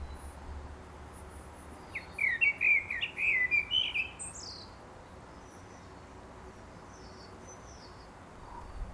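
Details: Common blackbird singing in a garden in Milton Keynes: a clear rich phrase of mellow fluty, warbling notes lasting about two seconds, ending in a thin high twitter, then quiet with faint distant bird notes.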